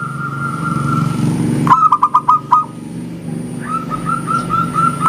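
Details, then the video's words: Local zebra dove in vigorous song with a clear engkel: a quick burst of five low, hollow coos, then softer cooing notes trailing on, over a steady low rumbling hum. "SUARA PERKUTUT LOKAL GACOR, JERNIH ENGKELnya BIKIN RAMAI SAUTAN"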